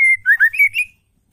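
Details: Captive female white-rumped shama call meant to make males sing. A steady whistle leads into quick wavering whistled notes that step up and down, then fade out.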